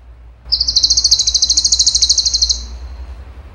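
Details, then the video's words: Cucak cungkok singing one sustained, very fast buzzy trill for two seconds, high and even, with low background hum. "CUNGKO GACOR TEMBAKAN HOT SUPER TEJEM"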